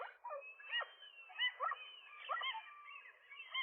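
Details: Gulls squabble at a nest where a newly paired male and female fend off a single intruding gull in the morning; softer, wavering yelps and drawn-out nasal wails overlap, with a few stronger arched notes.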